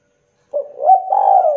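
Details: Local Indonesian spotted dove, calling to encourage young doves: one phrase of soft stuttered notes flowing into a long, slightly wavering coo.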